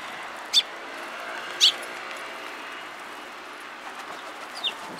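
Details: Sparrows at Mizukami Bridge on 31 March 2022 in the afternoon give two loud, clipped chirps about a second apart, then a fainter one, over steady mechanical hum.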